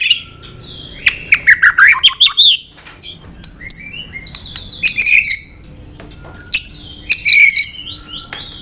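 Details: A white-rumped shama sings its fighting song: rapid varied whistles, buzzy trills and sharp clicks in short loud bursts with pauses between.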